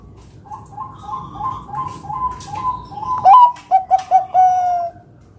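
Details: Perkutut song used to get other zebra doves singing: a softer series of repeated coos from another bird leads in, then a loud rising note, three clipped coos and a long steady closing coo.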